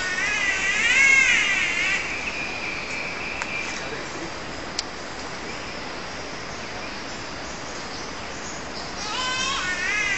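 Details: A catbird at Mary Cairncross Park, Queensland, gives nasal, wavering mewing calls, one long slurred call at the start and another rising one near the end, with a quiet outdoor hiss between.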